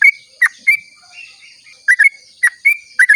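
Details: Sooty-headed bulbul at dawn, long rolling song meant to prompt other bulbuls to sing: a few clear whistled notes with a drawn-out rising slur, then a pause and a quick burst of chirpy phrases, against a thin constant high hiss.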